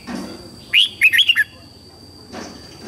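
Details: Red-whiskered bulbul morning song, played for training young white-cheeked birds: one quick phrase of four or five bright, warbled whistled notes, rising then falling, after a quiet lead-in, with a steady high electronic tone behind.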